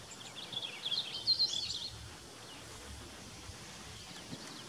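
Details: A Purple Finch singing from a cedar tree in mixed forest near Desbarats, Ontario, about 15 m away, gives one quick, rich warbled phrase of high notes lasting about a second, followed by a soft outdoor hiss.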